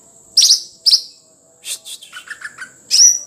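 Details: Sumatran leafbird (cucak ijo) singing sharp, high, bright chirps and a few buzzy notes, with a lower warbled phrase in the middle, over a steady thin high whine.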